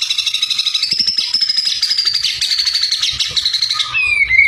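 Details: White-rumped shama singing in full form to provoke rival birds: a long, rapid, buzzy trill of repeated high notes, holding steady then slowly falling, ending in a clear lower whistled note.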